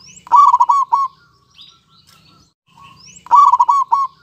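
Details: Male and female local zebra doves in song, two loud phrases of quick, bubbling rolled coos about three seconds apart, with soft high chirps and twitters filling the gap.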